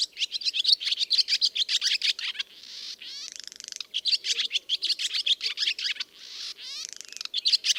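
A swallow sings a fast, high twittering warble, broken twice by a dry buzzy rattle, with no other sounds around it.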